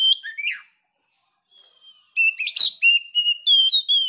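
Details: Oriental magpie-robin with sharp song: a few scratchy chirps, a pause with a faint thin whistle, then a run of clear whistles and slurred notes.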